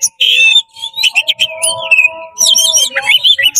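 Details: Oriental magpie-robin pouring out loud, fast song intended to provoke other magpie-robins: dense buzzy warbling and slurred whistles, with a steady low humming tone running underneath.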